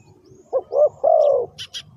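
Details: A single spotted dove coo phrase used to lure birds for trapping: two short husky notes then a longer falling coo, followed by two sharp high chirps from another bird.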